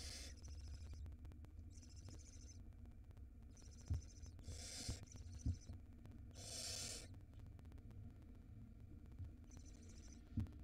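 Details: In Israel, a barn owl nestling on a live nest camera during the 2022 breeding season, swallowing a huge rat; repeated breathy hissing screeches, some short, some longer and louder, spaced one to two seconds apart, with low hum and faint knocks.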